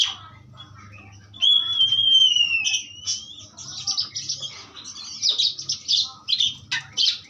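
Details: Asian pied starling pastol song opening quietly, then a long clear descending whistle, followed by bursts of loud scratchy chatter and squeaks.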